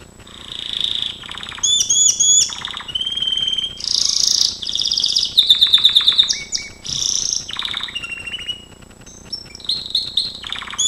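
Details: Gloster canary singing for training: a long, varied song of trills and rolls, buzzy rattling tours and clear whistled notes, mostly high-pitched, with phrases changing every second or so and brief pauses between them.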